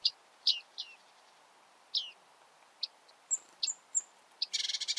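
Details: Bearded reedling in reed beds: scattered short, sharp metallic calls, several thin high whistled notes, and a closing burst of rapid buzzy ticking, over a soft hiss.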